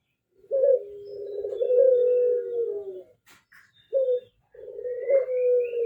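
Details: Low purring coos from a ringneck dove: a long rolling phrase lasting almost three seconds, a brief pause with a faint chirp, then a short note and another drawn-out descending coo.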